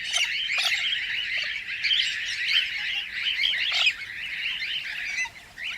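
Cockatiels chatter in a steady stream of shrill, scratchy chirps and squeaky notes that overlap without pause, as if several birds are calling together.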